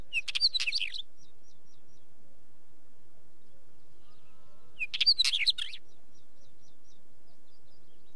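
A wheatear gives two brief, scratchy, chattering phrases mixed with thin whistles, about four seconds apart, over quiet background.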